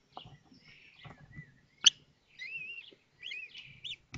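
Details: Common kestrel nest in Théding, France, May 2024, during a hatching; sparse short high calls with a few rising-falling whistled notes, one sharp click, and soft low knocks.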